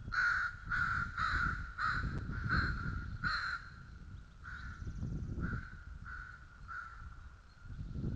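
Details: Begging bald eagle eaglets at feeding time at White Rock, 06:15 in the morning: a run of strident, repeated calls, about two per second, fading gradually over low background rumble.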